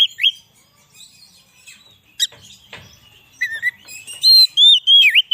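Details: Oriental magpie-robin song for attracting wild birds and exciting captive ones: a brief whistle, quiet scratchy notes and a sharp click, then loud looping whistles near the close.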